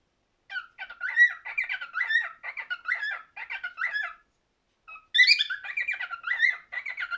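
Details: Cockatiel singing a rapid warbling string of short whistled notes that dip and rise, broken by a brief pause before a brighter, higher burst of chattering phrases resumes.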